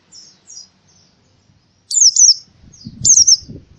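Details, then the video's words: Indonesian white-eye singing canary-style bursts, used to prompt silent birds to sing: faint short high notes, then two loud, twisting, warbled high phrases, with low rustling and knocking in the background. "PLECI TEMBAKAN KENARI"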